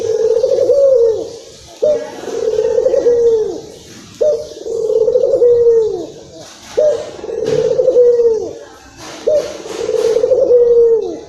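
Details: Excited local Barbary dove from Indonesia, meant to draw other doves: five rhythmic rolling coos, each ending in a downward dip, spaced roughly two and a half seconds apart, with faint hissing in the background.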